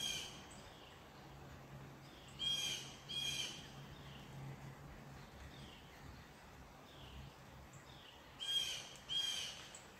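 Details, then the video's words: Unedited recording of a crow outdoors giving two pairs of hoarse, grating caws, each pair quickly doubled, separated by a long quiet gap filled with low droning hum and soft ambient noise. "Crow Unedited.Wav Sound Effect"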